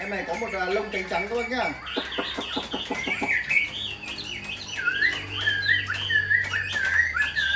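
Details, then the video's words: Chinese hwamei kept tame in a cage, noted for strong singing: low harmonic sounds and clicks open, then from midway a clear whistled song of wavering, rising and dipping phrases. "Chim thuần sách tay hót, đấu tốt"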